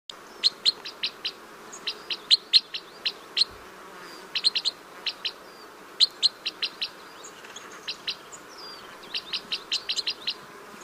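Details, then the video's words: Red crossbill song: runs of sharp, high chipping notes in quick bursts of four to eight, with pauses between phrases, over a faint steady hiss. "Canto do pássaro cruza bico"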